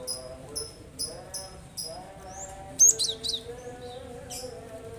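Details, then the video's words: Cinereous tit song used to lure reluctant birds into singing: clear high two-part notes repeated about twice a second, then a burst of sharper chirps and one more note, with a low hum behind. "Burung yang malas bunyi dengarkan ini insyaallah langsung ikut bunyi"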